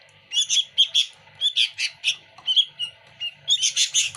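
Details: Lively sooty-headed bulbul in full voice with busy fill-in phrases: clusters of sharp, high chirps in quick bursts, a few thin whistled notes between them, ending in a dense twittering run.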